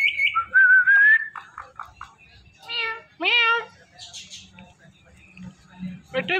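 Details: Pet Indian ringneck parrot talking, imitating a meow: a wavering whistled note opens, then short clicks and two loud harmonic meow-like calls, one slurring upward, followed by quieter nasal notes.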